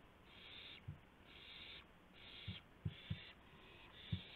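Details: Owl at 2:51 AM on 2 April 2016, around a gopher being brought as prey: faint, raspy hissing bursts roughly half a second long, repeated about once a second, with soft low knocks between them.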